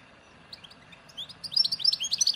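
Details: Algerian European goldfinch, Souk Ahras (Taghast) 'nature' song type matching Ain Dalia dam, Djnane Bouecha and Firmet Djoudi birds, 1995: a few scattered high notes build into a quick, bright, liquid twittering phrase.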